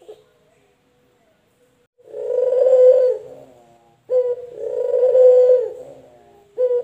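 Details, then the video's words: Male collared dove cooing in a quiet room: two long, low, soft, swelling coos with short clipped notes between them; local male and white male doves are compared. "SUARA PUTER LOKAL JANTAN DAN PUTER PUTIH JANTAN"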